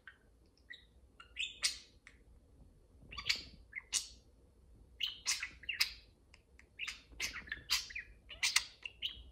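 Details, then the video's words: Two pet parakeets converse and play at home, one dominating the exchange: a lively stream of bright, high chirps and short rising and falling tweets in quick bursts, with brief pauses between clusters of notes. "Parakeet Pillow Talk: two parakeets converse and play"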